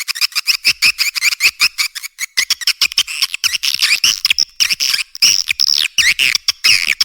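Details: Edible-nest swiftlet calls used to lure swiftlets into nest houses: dense, rapid, high-pitched chirps and twittering clicks in quick bursts, almost unbroken, with a brief buzzy run near the end and no other sounds.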